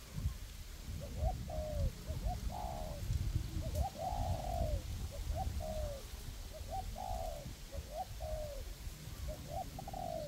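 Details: Spotted dove decoys, two birds cooperating in forest, one perched up and one on the ground, luring wild doves to a trap; low coo phrases, two short hoots then a longer falling note, repeated about every 1.5 seconds.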